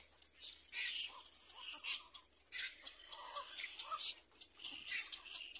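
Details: Little black cormorant about to feed its young, with a busy run of thin, high squeaks and short scratchy notes tumbling together over a few seconds, some notes dipping lower, with steady background hiss.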